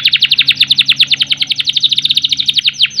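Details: Caged canary in full song, a long roll used to rouse canaries short on breeding drive; quick series of steeply falling high notes repeated about ten per second, bright and even, over a faint low hum.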